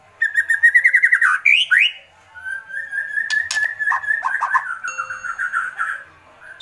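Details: White-rumped shama, agitated, with a quick pulsed rattle of wavering notes, a sharp upward flick, then a long warbled buzzy trill at a steady pitch.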